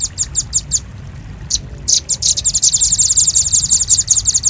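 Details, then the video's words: Velvet-fronted nuthatch lure call: a few spaced high chips, a brief lull, then a long rapid run of sharp notes merging into a trill, with low background hum. "Suara pikat burung rambatan paruh merah paling ampuh"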